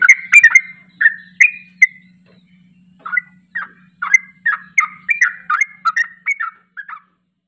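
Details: Energetic ropel song of a yellow-vented bulbul, used to spur a bird that rarely sings into replying: rich gurgling whistled notes in quick bursts, a brief pause, then a longer run of rapid chattering phrases, faint hum beneath.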